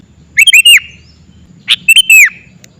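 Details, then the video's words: Sooty-headed bulbul lure call: two bursts of bright, liquid whistled notes, each a quick cluster of chirps ending in a longer slurred downward whistle, over faint low background rumble. "Kicauan pikat kutilang"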